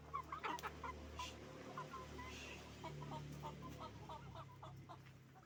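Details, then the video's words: Chickens on a chicken farm, roosters and hens making noise: a busy flock of short clucks around one kilohertz repeating irregularly, with a steady low mechanical hum underneath throughout. "Moment of the sound of a chicken farm, roosters and hens making noise"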